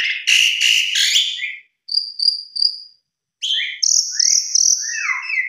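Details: Lure song of the Javan pied starling, meant to set other birds singing: harsh rapid bursts, three thin high whistles, a pause, then buzzy notes and falling slurred whistles.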